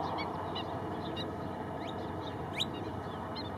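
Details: Female Kentish plover (Charadrius alexandrinus) alarm call at Mindelo, São Vicente, Cape Verde: short, thin rising 'pwit' notes at irregular intervals, about five in a few seconds, against steady wind or surf noise.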